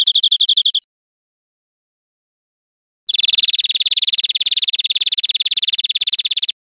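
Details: European Greenfinch, Spain 2013: a brief fast chirping trill, a pause of about two seconds, then a long, dense trill of rapid, slightly buzzy notes lasting over three seconds.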